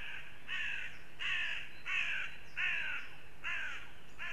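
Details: Northern goshawks in Riga, Latvia: harsh, nasal, slightly falling calls, six in just over four seconds at a steady pace, over a faint background hum.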